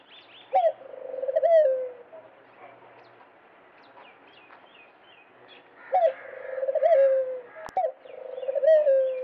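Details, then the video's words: Dove song in two phrases about five seconds apart. Each opens with a sharp note, rolls into a quick pulsing run of coos, then ends on a long, even, low hooting note. Soft bird chirps can be heard between the phrases. "فاختہ کی ایسی خوبصورت آواز آپ نے پہلے کبھی نہیں سنی ہوگی. The beautiful song of dove"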